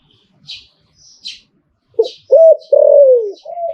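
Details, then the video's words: Short zebra dove phrase in Thai liu tan style: soft opening note, then a loud looping coo sliding into a long descending coo, preceded by a few high chirps from other birds. "หลิ่วตันตลอด Thai dove"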